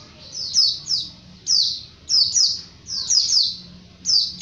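A Japanese white-eye gives thin, very high chirps that slide downward, in bursts of one to three notes roughly every half second to second, over a faint low hum.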